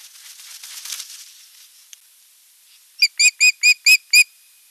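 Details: Osprey at its nest on 8 June 2023, caught on a nest camera while visiting its drowsy mate: wingbeats and rustling first, then six loud, evenly spaced, shrill whistled calls in quick succession.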